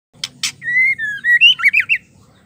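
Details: Female white-rumped shama calling to stir males into singing: two short buzzy bursts, then a long sliding whistle that dips and rises, ending in quick warbled notes.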